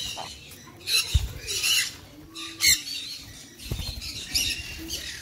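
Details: Sun conure giving a few scattered harsh squawks, short loud bursts spaced unevenly over about five seconds, with a low murmur of background noise between them.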